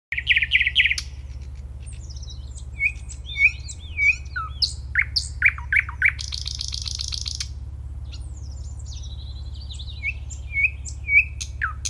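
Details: Male common nightingale singing in the breeding season to attract females: a rich, varied song of whistles, rapid buzzy trills and sharp repeated notes, with pauses between phrases over a steady low hum.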